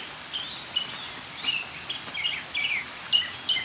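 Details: Northern mockingbird singing during rain, delivering varied short high slurred and chirped phrases in quick succession, some bright downslurred notes, with a steady hiss of rain behind.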